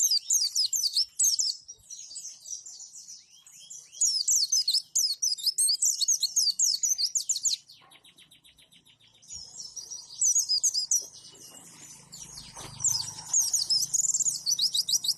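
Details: White-eye (pleci) song in the roll tembak and wituwit styles, played as master audio for training other birds to imitate: rapid, high, chattering trills and sharp twittering phrases in dense bursts, with a quieter pause in the middle and faint low rumble later.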